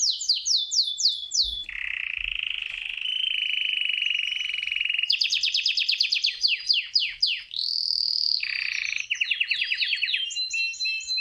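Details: Canary male singing to win a female, a varied run: rapid descending chirps, a long steady whistled tone, then bursts of quick trills and sweeping notes changing every few seconds.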